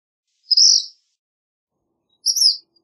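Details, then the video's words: Two high, sharp phrases from a black phoebe: a flat buzzy note, then after a long pause a rising, slurred note. Nothing else is audible. "Black Phoebe Song! Black Phoebe Call! Black Phoebe Sound! - Mosquero Negro Canto"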